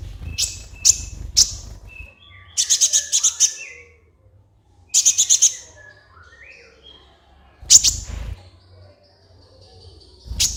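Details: Captive-training master song of a sunbird (kolibri ninja): loud high sharp notes and quick rattling volleys alternating with thin softer twitters and pauses, steady low background hum.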